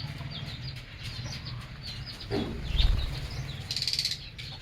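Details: Pet lovebirds in an aviary chirping and singing. Rapid, high, squeaky chirps repeat throughout, with a brief louder downward-sweeping note near the middle and a bright trill toward the end, over a low rumbling hum and a few thuds.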